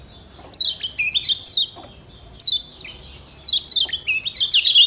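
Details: Cage-kept Lombok yellow white-eye recorded as a training song: rapid high chirps and slurred whistles in clustered bursts, stepping down and up in pitch, with brief pauses between groups.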